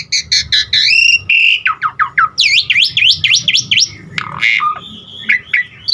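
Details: Asian pied starling pouring out varied filler phrases to set other starlings singing: stacked trilled notes, a series of steep downslurs, rapid V-shaped whistles and a closing rasp with chirps.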